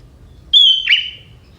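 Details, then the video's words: A single sweet whistle from a young wild sooty-headed bulbul in forest, its song mixed with prenjak (prinia) notes. The high, even note slides down into a brief warbling flourish that trails away. "Burung Kutilang Muda Hutan ini, Isian Prenjak"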